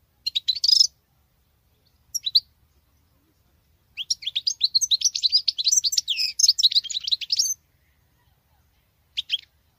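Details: A female European goldfinch sings like a male, a rapid, tinkling jumble of high twittering notes and buzzy trills, with short bursts before and after a longer three-second phrase.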